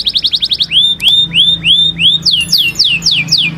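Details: Canary Taghreed song for training young birds: quick downward notes, then slower looping upswept whistles about every half second, finishing with descending swooping notes, loud and clear.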